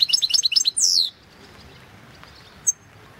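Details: European goldfinch singing in an online song contest, the 2016 World Championship in Goldfinch Song; a quick run of sweet twittering notes ending in a loud descending buzzy slur, then near silence with one faint high note.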